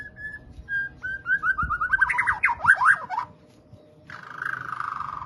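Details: White-rumped shama in full song: short level whistles, then a rising series of quick slurred notes building into a loud jumbled flourish, followed by a buzzy drawn-out note.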